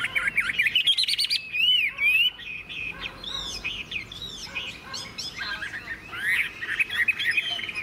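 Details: Morning song of a tame caged Chinese hwamei hung in the sun after fresh food: bright, fast, varied whistled phrases with rising and falling slurs and rapid trills, rich and continuous throughout.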